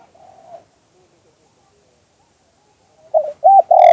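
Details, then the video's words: Spotted dove in the two-kuk hanging song style, a decoy call for trapping doves: a soft coo at the start, a long pause, then the next phrase begins with two short hollow coos leading into a long one. "เสียงนกเขาใหญ่ 2021 2กุกห้อย เสียงธรรมชาติ"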